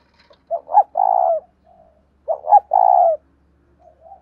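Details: Spotted dove of the 'giọng đồng thổ' song style, coo suited to cage birds: two loud coo phrases, each two short rising notes then a long, level, slightly buzzy coo, about two seconds apart, with faint soft notes between.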